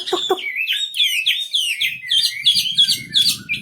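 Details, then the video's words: Lively wambi bird song made of rapid, repeated whistled phrases, each swooping up and down, a few per second, with faint low rumbling in the background. "Burung wambi istimewa gacor full"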